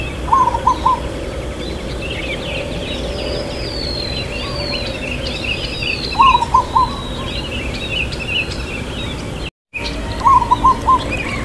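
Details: Local zebra dove song with a long "kuk", "irama lelah" (tired rhythm) style: three short phrases of low mellow coos spaced roughly five seconds apart, with faint high bird chirps and whistles between them and steady ambient noise.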